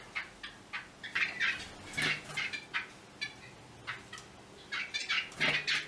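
Yellow-bellied wattle-eye giving quick, harsh chattering notes and bright ringing clicks, several a second in uneven bursts, with faint low background hum.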